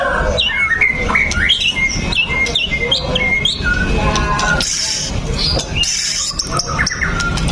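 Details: White-rumped shama song intended to prompt other shamas to sing: busy bursts of sharp, looping whistles and chirps with scratchy notes between, continuing without pause over constant low noise.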